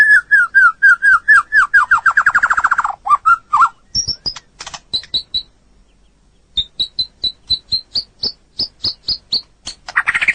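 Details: Long training recording of a white-rumped shama: a fast accelerating series of falling whistles that merges into a trill, then high short notes repeated about twice a second after a brief pause.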